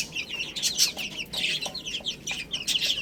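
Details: Little chicks eating spinach, uttering high, short downslurred cheeps in fast irregular runs, several birds calling at once.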